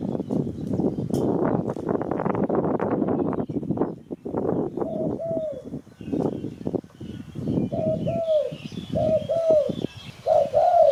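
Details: Spotted dove, recorded as a lure for catching birds: several seconds of dense crackling noise, then a run of paired mellow coos, each double note repeating roughly once per second.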